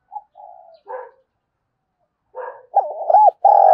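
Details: Lure spotted dove cooing for wild doves: a few soft preliminary coos, a pause, then a loud, bouncing series of throaty notes ending in a sustained hoot.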